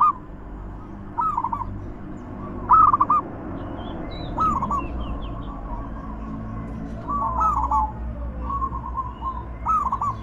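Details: Zebra dove song used as a lure recording to get silent doves singing: short hooked cooing phrases near mid pitch repeat every second or two over steady low rumbling background noise, with faint higher chirps of other birds.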